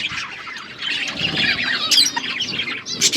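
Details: Pet budgerigars chirping while eating food; dense, busy high chatter of overlapping chirps and squeaks with a few sharper squawks near the end.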